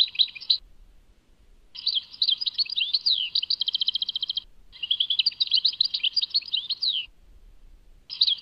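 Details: European goldfinch, Tadmait song: brief twitter, a pause, then two extended phrases of tinkling notes, swooping whistles and fast trills, ending with a short burst after a gap.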